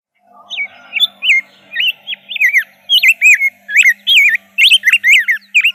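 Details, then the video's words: Rose-breasted grosbeak singing a continuous run of sweet, bouncing whistles that grow louder and denser as the song goes on, over a faint low hum. "kicauan indah rose-breasted grosbeak"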